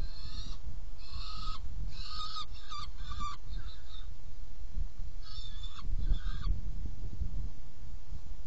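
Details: Saker falcon at a nest box during feeding, 17 June 2018 at 10:31; harsh, buzzy calls in quick bursts, a cluster in the first three seconds and another pair near the sixth, over a constant low rumble.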